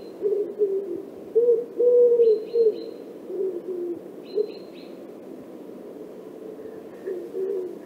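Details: Common Wood Pigeon from Central Russia giving deep, husky cooing phrases in a low, rolling rhythm, with brief high chirps from another small bird in the background.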